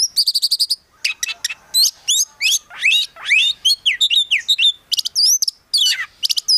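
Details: Oriental magpie-robin (kacer), a kept prospect bird, singing a packed, varied phrase: a rapid opening rattle of high notes, then swooping whistles and descending slurs tumbling one after another without pause.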